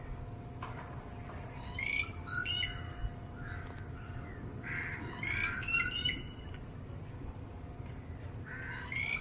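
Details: Red-whiskered bulbul contacting friends far away with a series of quick chirpy whistled phrases in loose clusters, some paired, with gaps between, over persistent low background noise.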